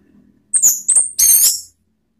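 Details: Orange-headed thrush singing to stir other birds into song: three quick, shrill high phrases, a sharp whistled note, then a rapid buzzy rattle, over a quiet background.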